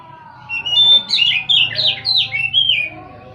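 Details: Oriental magpie-robin song: after a short quiet start, a string of sharp whistled and slurred notes, several swooping downward, delivered in rapid bursts over a soft low hum.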